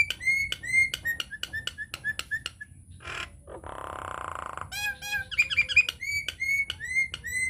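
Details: Nias hill myna lure song to prompt other mynas: a quick series of ringing clipped whistles, a long grating squawk in the middle, then more bright whistled notes repeated in rapid bursts.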